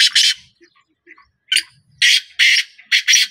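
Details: Grating, scratchy notes of a black francolin, first a quick doubled rasp, then after a gap a run of four loud harsh syllables spaced roughly half a second apart.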